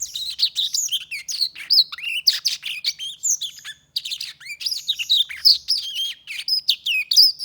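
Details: Hand-tame Black-throated canary singing a rapid, continuous twittering song of high chirps, trills and sliding whistled notes with barely any pauses, packed densely over the whole stretch.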